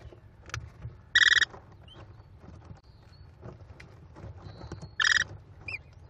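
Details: American kestrel chicks, five young at a Cornell nest on 18 May 2021, begging as their mother feeds them; two loud harsh buzzy bursts with stacked tones, between faint short chirps and soft rustling.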